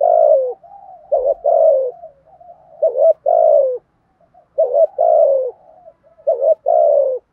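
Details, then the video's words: Cooing of a spotted dove, 'thúc gù' style, used to urge a newly captured caged bird to call: repeated pairs of a clipped double coo and a long descending one, with quiet low hoots filling the gaps, on a clean background. "Tiếng chim cu gáy bài bản thúc gù bài bản kích thích bổi nghe gáy liền, giúp bổi rất xiêng gáy"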